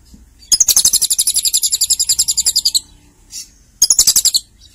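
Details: Lovebird singing 'Berasa Cililin' style, a long rapid trill of piercing, buzzy pulses lasting over two seconds. A faint squeak follows, then another loud half-second burst of the same fast chattering.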